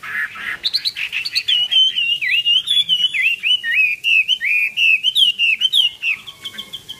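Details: Chinese hwamei performing 'hót xòe' song while displaying its wings eagle-style; a rich, continuous string of looping whistled notes, wavering up and down, delivered quickly and clearly.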